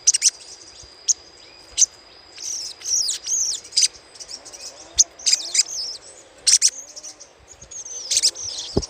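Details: Little spiderhunter chattering used as a lure: high, thin chips, some single and some in tight clusters, with downslurred notes between, and a low thump at the very end.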